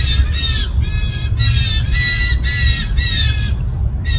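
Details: Fledgling blue jays in a yard, June 20, 2024, begging from parents who now push them to forage alone: loud, grating, nasal squawks in quick succession, roughly two per second, then a brief pause, with a constant low hum behind.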